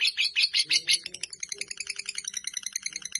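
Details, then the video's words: Fighter lovebird, sometimes clean, in a long chattering song: fast repeated high chips about three per second, bright at first, then a steady pulsed chatter, with faint low tones beneath. "Lovebird Fighter durasi hampir 4 menit"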